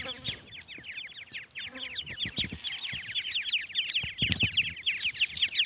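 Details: Brood of francolin chicks chirping, a steady stream of thin, high, slurred peeps from many birds at once, punctuated by occasional low taps and rustles.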